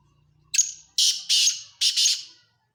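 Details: Harsh call of a black francolin: a thin squeaky first note, then a rhythmic run of three rough, buzzy, rasping bursts, each about a quarter second long, over a faint low hum.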